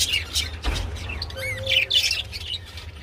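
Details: Budgerigars while mating make short squeaky chirps and a few rising and falling whistled notes, spaced irregularly, above a low steady hum.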